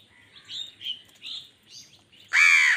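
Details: Crow in a fight with wild birds over food: a run of thin, high chirps and short whistles from smaller birds, ended by one loud, harsh caw.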